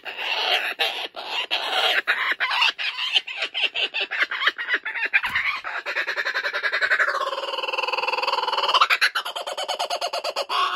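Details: A male laughing kookaburra, kept at a wildlife sanctuary, laughs maniacally while refusing to give up a stolen joey's toy. Fast rattling chuckles build into a loud rolling laugh that rises and falls, then rattles again.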